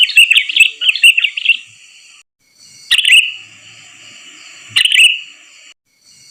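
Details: {'caption': 'Sooty-headed bulbul trapping lure: a quick chattering burst of bright notes, then two single sharp chirps about two seconds apart, each ending in a brief sustained tone, above a quiet hiss.'}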